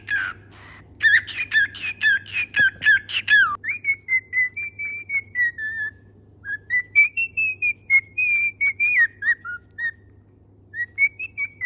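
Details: Singing pet parrot: opens with fast harmonic chirps, then shifts into long clear whistled notes, gently rising and falling in a tune-like sequence with brief gaps, over a low steady hum.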